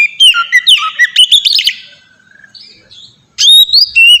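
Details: White-rumped shama song serving as a lure for other shamas, with fast chattering whistles and trills, a quiet stretch, then loud rising and falling whistled notes.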